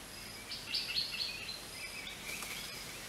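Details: Greater racket-tailed drongo giving a quick string of clear, high, slightly metallic notes that sweep and waver, followed by softer lower-pitched phrases, with constant high insect-like hiss behind.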